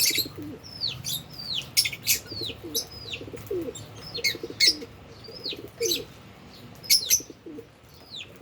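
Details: Albino and Fischer's lovebirds while eating and playing: quick high falling chirps about twice a second, with sharp clicks and faint lower warbling notes beneath.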